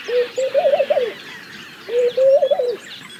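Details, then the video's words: Two mellow laughing dove phrases: a short low coo, a brief gap, then a quick tremulous run of rising and falling notes that slides down at the end. "Laughing Dove - Calls"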